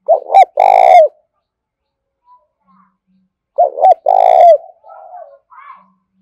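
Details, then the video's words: Spotted dove decoy cooing energetically to bring in wild doves: two loud phrases about three seconds apart, each two short notes and a long, throaty, falling coo, followed by softer murmured calls and a faint higher note. "Tiếng chim cu gáy thúc bổi rất sung, mở nên bổi và mồi nghe gáy theo cả ngày"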